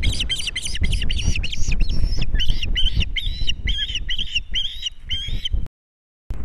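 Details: Male osprey arrives with a big fish for the female at their nest on Captiva, nest camera, 22.01.2022; quick, shrill, slightly downslurred chirps repeated about four per second over heavy low rumble, then a brief gap.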